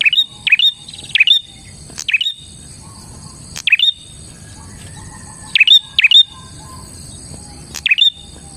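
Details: Bar-winged prinia (prenjak), a strong singer used as a lure to attract other prinias: loud, sharp chirps in quick pairs and triplets with brief pauses, plus a soft, lower repeated twitter in between over steady background hiss.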